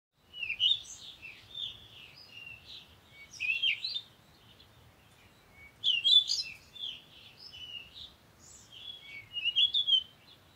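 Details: Parakeet chirping in bursts of high, squeaky, warbled notes, a cluster roughly every two to three seconds with quiet gaps between, against a faint low background hum.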